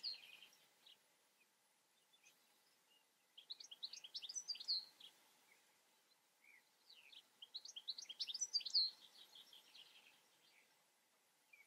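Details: European goldfinch singing two bursts of rapid tinkling, twittering notes with liquid trills, each phrase lasting about two seconds, separated by quieter pauses; faint background hiss.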